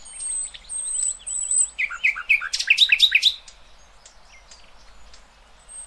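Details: A common nightingale, recorded to teach young goldfinches and hybrids, sings a varied phrase: thin high whistles, then a loud burst of rapid, rich repeated notes, fading back to soft high notes.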